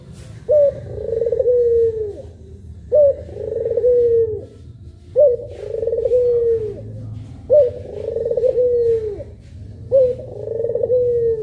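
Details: Puter pelung dove, one of two birds, repeating a long pelung coo about every two and a half seconds: a sharp rising onset, then a warbling, gradually falling tone, five times in a row.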